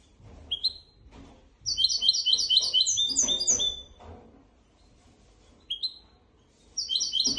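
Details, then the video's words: Goldfinch x canary hybrid delivering its teaching song for goldfinches and canaries: short bursts of rapid, high, bright twittering trills separated by pauses, with soft rustling and knocking in the background. "تغريد طائر الهجين ميسترو حفاضه لتعليم طيور الحسون والكناري بدون اخطاء"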